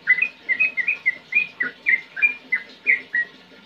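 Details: Sooty-headed bulbul giving a clear song of about a dozen short whistled notes, some bending downward, spaced evenly at about three per second over a few seconds.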